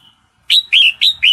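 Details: Female red-whiskered bulbul in breeding condition calling to a male: after a brief quiet start, four loud, short chirped notes in quick succession, each sliding down slightly, a bright, clear series.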